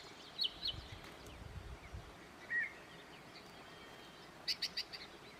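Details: Male Yellow-breasted Chat singing its varied song on June 8: scattered high chips, a short mid-pitched phrase, a quick run of four sharp clucks, possibly including imitation of a distant Common Raven's croak, over steady background hiss.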